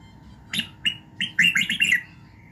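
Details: Red-whiskered bulbul giving morning song for voice training, meant to fire up a bird. A few sharp introductory notes build into a quick, bubbling phrase of slurred whistles. A low hum sits underneath.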